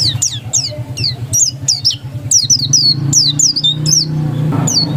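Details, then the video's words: Oriental white-eye, dakun variety, delivering insistent ngotot song: shrill looping whistles falling and rising in quick succession, over continuous low vehicle-like rumbling. "Suara Ngotot Pleci dakun"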